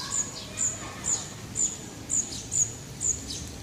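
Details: Birds singing in Parque de la Florida, Vitoria-Gasteiz: high, thin chirps near the top of the range repeated about twice a second in a steady series, over a low hum of background noise.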